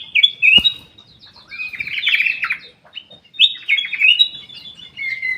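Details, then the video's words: Black-capped bulbul singing in an aviary: bright, fluttering whistled phrases in two bursts, rising and falling, with short pauses and overlapping chirps. "KICAU KUTILANG EMAS \ CUCAK EMAS GACOR"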